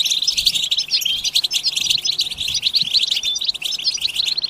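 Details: Several European goldfinches in a bitbita chorus, a collective twittering for rousing other goldfinches to sing; rapid sparkling chirps and short buzzy trills pile up densely with no gaps.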